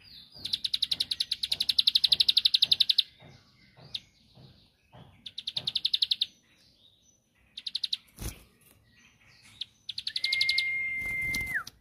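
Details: Bar-winged prinia, called ciblek sawah, singing to provoke a rival into answering: bursts of rapid buzzy high clicks repeated several times a second, broken by pauses, with a sharp knock near eight seconds and a long flat whistle near the end.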